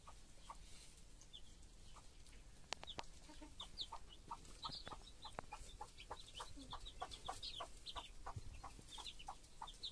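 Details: Mother hen tending her chicks gives steady, soft clucks about every half second, while the chicks keep up a busy chorus of high, thin peeps above her.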